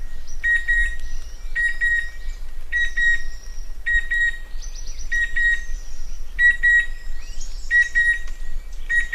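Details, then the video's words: Chestnut-winged cuckoo giving clipped double notes in quick pairs, repeated roughly every second, over high sliding whistles from other birds and a steady low rumble. "เสียงนกคัดคูหงอน Chestnut-Winged Cuckoo Sound"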